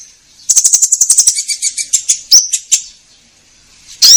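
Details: Orange-headed thrush, a song for prompting caged birds: a rapid rattling series of about fifteen short notes slowing down, one upward-sweeping whistle, then silence and a final loud note.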